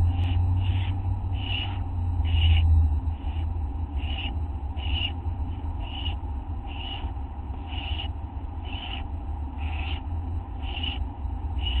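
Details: Owlet begging at 1:29 AM on August 9 while a parent delivers a teeny mouse; brief harsh hissing bursts repeat steadily about every second over a constant low rumble.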